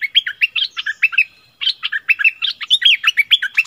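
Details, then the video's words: Recorded 16 February 2021, a decoy Streak-eared bulbul pours out quick, cheerful chirping phrases of jumbled liquid notes, with a short pause midway before resuming even faster. "เสียงนกดอกแตงEp.32ร้องแบบนี้ นกป่าหายหมด!!!"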